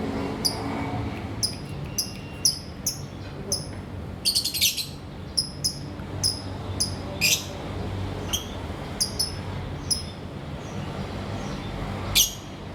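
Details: Lovebirds of various colours in an aviary in the morning, giving sharp, high, shrill chirps repeated in quick irregular bursts, roughly one or two a second, with a few brief harsher squeaks over a steady low background rumble.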